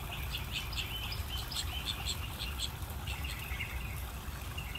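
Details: Several baby African geese peeping together: overlapping high, short whistled chirps come in quick clusters, busiest in the first three seconds, with a heavy low rumble underneath throughout.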